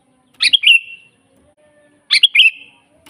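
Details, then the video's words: Lively, natural sooty-headed bulbul song for training captive bulbuls or calling in wild birds: two chirpy, gurgling whistled phrases roughly 1.7 seconds apart, with a soft hum in the quiet gap. "suara burung kutilang GACOR asli"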